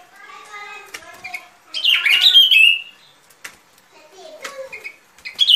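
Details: Sooty-headed bulbul song in a recording used as a trapping lure: a loud burst of bubbly, slurred whistled notes in the middle, with fainter chattering and harmonic calls from other birds before and after.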